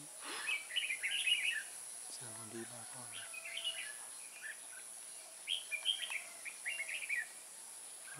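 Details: Red-whiskered bulbul singing as a trap decoy for wild birds in Kim Bôi, Vietnam, 14 May 2018; two spells of quick chirpy warbling phrases separated by a short low buzzy rattle, over a steady insect hum.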